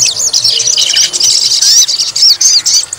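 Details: White-rumped shama song used to provoke a fighter bird and test its nerve: dense, high, scratchy warbling with quick thin whistled slurs, near-continuous throughout.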